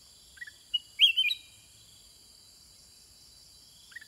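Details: Sooty-headed bulbul answering wild birds with a single bright, bubbling phrase of three quick rising-falling notes, preceded and followed by faint soft call notes, against a constant high insect drone.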